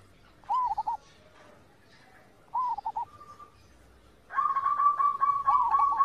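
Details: Zebra dove song from master training audio: two short cooing phrases, each an arched note breaking into quick fluttered pulses, followed by a louder dense stretch of sustained whistled tones.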